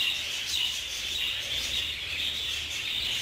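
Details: In a communal aviary, fighting budgerigars produce a steady wash of high, overlapping chirps and scratchy twitters, about a hundred notes a minute, unbroken through the short stretch.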